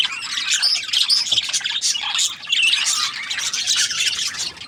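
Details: Steady budgerigar chattering: many quick high squawks, buzzes and twittering notes run into one another, keeping an even, busy level throughout.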